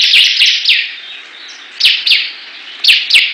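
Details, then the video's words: Ciblek, the bar-winged prinia, singing against rivals: a few strong falling chirps in quick pairs, separated by a quieter gap. "Perang Ciblek Gacor"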